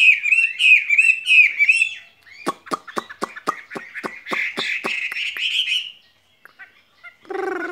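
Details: Vietnamese caged skylark opening with bouncing whistled phrases, then a run of regular sharp clicks with warbling over them, a short pause, and a harsh broad note at the close.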